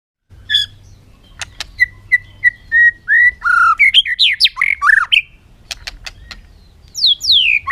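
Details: Bird calling: a string of short even whistles, then rising and falling squawking, warbled notes building in intensity, with scattered sharp clicks and a pair of high upslurred whistles at the end.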